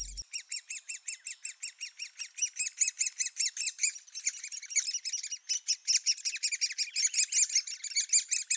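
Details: Great Spotted Woodpecker nestlings with a ferocious appetite, fed by both parents bringing insects and spiders, keep up a shrill, squeaky chatter of begging calls, about two or three notes a second, overlapping into a dense chorus.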